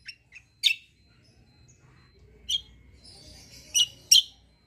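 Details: Kecial kombo white-eye, described as a loud fighter singer, giving scattered sharp high chips and a short twitter spaced over several seconds, with a faint low hum beneath.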